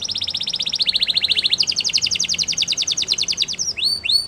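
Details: Spanish Timbrado canary song built from fast, even rattling trills that shift pitch upward midway, ending with a couple of clear rising whistled notes.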